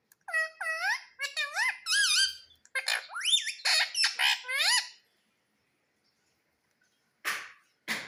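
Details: Pet Indian rose-ringed parakeet taught to say "Mummy": about five seconds of rapid, high, harmonic-rich squeaky syllables with upswept and wavering tones, then silence and two short harsh bursts near the end, indoors.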